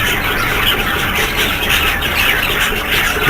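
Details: Budgerigars kept in a bird setup, a dense flock chorus of continuous chirping, squawking and warbling chatter, many birds calling at once with scratchy, overlapping notes and no pauses.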